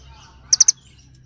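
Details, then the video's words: Three rapid, thin, high-pitched chirps from a small bird calling to others, evenly spaced in under a quarter second, against faint low background noise. "សំឡេងសត្វចាបកន្លង់ | The sound of birds | Little birds call each other"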